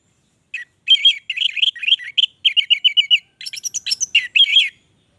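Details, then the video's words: Energetic orange-headed thrush song, a continuous medley of short warbled notes with a run of six quick, even repeated chips midway, ending in scratchy mixed phrases, clean with no background noise. "Anis merah gacor durasi panjang"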